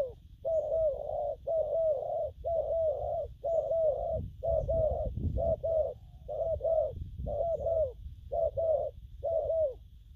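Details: Continuous low cooing from a young spotted dove in gù phóng and gù lăn song styles: rolling double coos about once a second, with a low rumble building midway.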